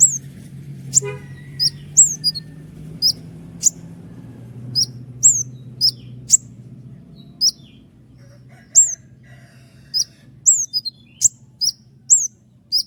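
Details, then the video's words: Common iora in full song, repeating sharp, high down-flicked shots roughly every half second in a long rolling series, over a low background hum. "roll tembakan panjang dengan tonjolan tajam mewah dari konin gacor"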